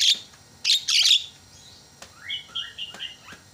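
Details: Javan myna call used as a lure to provoke quiet mynas into calling: two loud harsh rasping bursts, then a run of short clear whistled notes, some rising and some falling.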